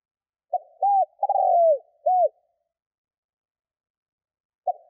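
A spotted dove gives a low, hollow cooing phrase of four notes, a short coo, two longer drawn-out coos and a final one, then starts again.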